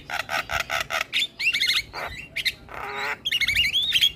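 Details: Starling lure song meant to set off silent starlings: a run of rapid harsh rasping bursts, then rising and falling whistled phrases, a buzzy squawk and a final wavering whistle.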